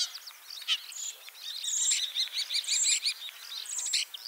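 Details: Common starling singing in Liepāja, Latvia, a Lithuanian-ringed bird with an injured leg, spring 2023; crackly chatter building into a loud run of rapid repeated squeaky notes with high whistled tones.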